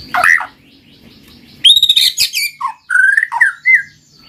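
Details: White-rumped shama lure song for reluctant singers: a short burst, a quiet gap, then rich whistled notes and slurred descending phrases ending on a high clear whistle.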